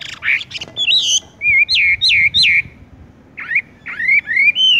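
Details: Wambie, the Horsfield's bush lark, singing in tung roll style: a few rough notes, then loud looping whistles repeated about twice a second, a short gap, and rising, upswept whistles.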